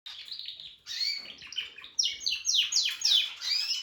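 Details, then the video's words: Male Harz canary, a pet, practising his singing: a lively high-pitched run of warbled and trilled phrases, with sweeping whistled notes and rapid rolling bursts that grow louder toward the end; no other sounds. "Harz canary working on his voice"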